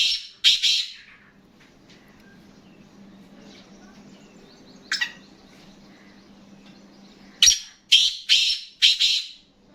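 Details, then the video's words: Black francolin calling: harsh, grating bursts, a pair at the start, a lone one in the middle, then four loud rasping notes in quick succession, over a steady low electrical hum. "Kala Teetar ki Awaz"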